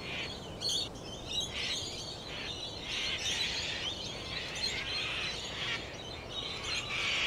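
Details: Laughing kookaburra chorus of rapid, harsh chuckling notes pulsing through the whole stretch, fairly high-pitched, over a soft noisy background.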